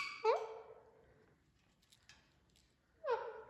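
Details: Parrots talking and having fun. Two quiet, nasal calls with a quick falling-then-rising inflection, about three seconds apart, with faint clinks in between.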